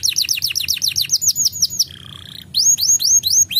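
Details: Chirping song of a male canary, meant to raise breeding readiness in young birds: a quick series of upward-sweeping whistled notes, a brief lower buzzy interlude, then the sweeping notes resume.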